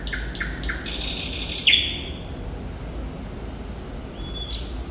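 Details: Sikatan londo, or thrush nightingale, singing vigorously. Three loud, clicking strokes lead into a harsh burst, then after a quiet gap come two thin rising whistles.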